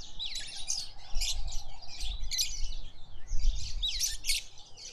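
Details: Red-faced mousebirds at a bird bath in a suburban garden in Pretoria, South Africa, give a steady stream of high, thin chirps and twittering notes in overlapping bursts, over a low rumble of wind.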